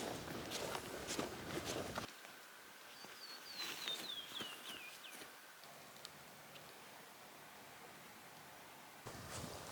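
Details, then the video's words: A canyon wren in a southwestern US canyon system gives a cascade of about a dozen clear whistled notes falling steadily in pitch over two seconds, with a hiker's footsteps on gravel before and after. "Very cool call of the canyon wren"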